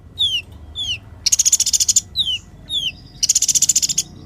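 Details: Sunbird singing for use as master song for sluggish sunbirds and chirping birds: pairs of falling slurred whistles alternate with two long, dense, high buzzing trills.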